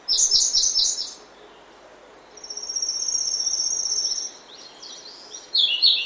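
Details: Early morning in oak woodland, a grey-backed thrush opens and closes with loud, rich warbled phrases; in between, a long thin buzzing trill and scattered high chirps from other birds fill the woodland.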